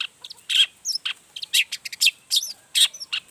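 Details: Long-tailed shrike singing energetically and unloading its repertoire, meant to provoke other shrikes into answering: a dense run of bright, high chirps and short buzzy bursts, changing note shape every fraction of a second.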